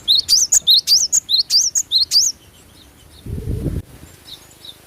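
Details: Glatik batu, the cinereous tit, in lively natural song: rapid bright whistled notes, each a sharp upward twist paired with a higher squeak, repeated about ten times, then a low rumbling knock and faint distant chirps.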